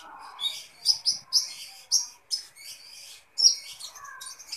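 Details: Kolibri ninja sunbird giving a string of separate high, sharp chirps at irregular intervals, ending with a brighter squeaky phrase.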